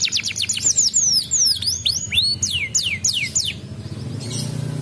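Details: Canary song used to get other canaries to reply: quick descending whistles and crossing slurred notes in a lively run, ending in quiet with a low background rumble.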